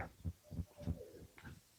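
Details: An owl of unknown species calls along a woodland trail, possibly as a warning, giving a quick series of about five soft, low hoots, one every third of a second, with faint background murmur.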